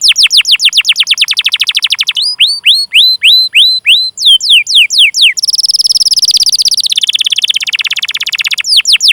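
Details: Canary cuit-cuit song with long rolls, used as a lure for young or silent canaries: sweeping high notes in quick series, a set of slower hooked whistles, then an extended fast trill sliding lower.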